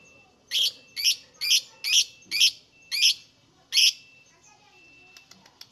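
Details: Lovebird calling, used as a lure to get lovebirds singing: seven harsh, high, buzzy chirps in quick succession, roughly every half second, then fading into faint background ticks.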